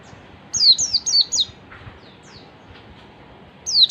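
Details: Ngalas song of an oriental white-eye, meant to prompt a response from other white-eyes: a quick series of four high, descending whistles, a pause of about two seconds, then one more similar note.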